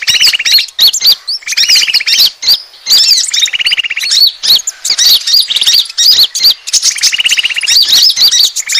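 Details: Asian glossy starling calls used to lure birds: shrill squeaky chirps interleaved with rapid rattling trills, the trills recurring roughly every two seconds through a continuous chatter.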